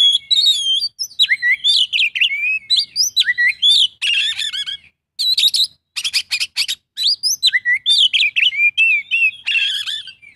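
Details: Loud, continuous Oriental magpie-robin song with mimicry, mixing sweet whistled phrases and warbles with harsh rasping bursts and rapid chatters over about ten seconds.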